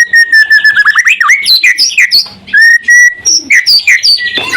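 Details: White-rumped shama in full song, used as a lure to provoke other shamas into answering: a loud varied run of clear whistles near one pitch, then rapid rising and falling slurred notes and chattering phrases, with no other sounds.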